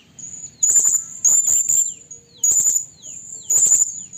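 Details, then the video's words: Blue-crowned hanging parrot, a female calling a male, used for trapping: rapid shrill high-pitched squeaks in clusters of two or three, with thin whistled notes between and faint downward slurs. "suara burung serindit terlalu gacor || suara serindit pikat"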